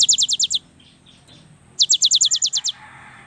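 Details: Active young cinereous tit singing: a rapid burst of high, sharp chipping notes, a short gap, then a longer run of about ten quick piercing notes.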